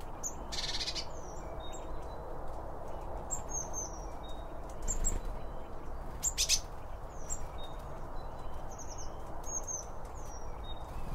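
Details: Birds eating around a feeder, recorded binaurally with two microphones beside the feed: scattered short, high, thin chirps and downward-slurred notes, with a few sharp broadband clicks over a steady low rumble.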